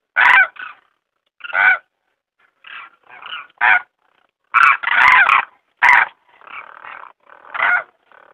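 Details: Demoiselle crane (Grus virgo) giving about a dozen harsh, rasping croaks over eight seconds, some short and clipped, others longer rolling rattles, at an uneven pace.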